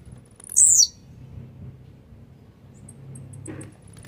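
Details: A single high, harsh, downslurred buzz from a grumpy blue-black grassquit, used to get other grassquits worked up. Faint high ticks and a soft low rumble follow.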